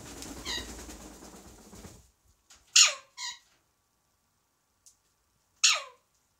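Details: Pet Alexandrine parakeet, currently tailless, perched on a parrot stand outside its cage on an evening, imitating a cat's meow. Three harsh, descending meow-like calls follow two seconds of noisy background sound, with silence between calls.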